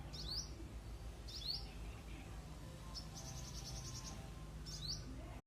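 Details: Singing hummingbird delivers sharp rising squeaky chips roughly every second, with a brief rapid buzzy rattle midway and a low background hum.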